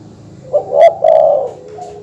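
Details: Spotted dove or zebra dove call, used to provoke rival birds: two brief, mellow coos in quick succession, the second longer and steadier, over a faint low hum.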